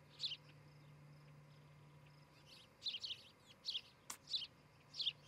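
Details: Osprey at a nest in Charlo, Montana, on a morning in July 2018, picked up by a nest camera: clusters of short, high chirps come in quick bursts, with one sharp click among them and a faint low hum underneath.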